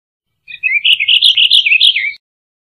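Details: Purple Finch song: a rapid, continuous warble of clear, high, twisting notes lasting under two seconds, rising and falling without pause, ending on a lower slurred note, in clean silence.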